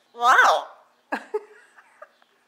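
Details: Yellow-naped Amazon parrot named Ike, which speaks Spanish and English while watching TV, gives a drawn-out, voice-like phrase swooping up and down, then a few short speech-like syllables, with a person talking indoors.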